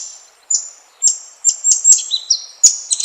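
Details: White-rumped shama song used as a lure to provoke other shamas: a string of sharp, high whistled notes and short rising and falling phrases, some with quick downward sweeps, given in irregular bursts over a quiet background.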